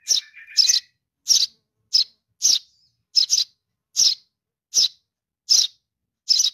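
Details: Young Eurasian tree sparrow calling for its parent. The clip opens with a few faint, thin, lower whistled notes, then ten rasping chirps follow at uneven intervals of about half a second, some doubled.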